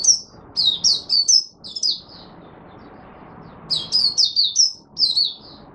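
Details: Oriental white-eye, a hobby songbird in Singapore, in buka sing on a humid, warm, rainy, overcast day, 23 March 2023: two bursts of high, fast, slurred chirping notes, each phrase a quick run of about four to five notes.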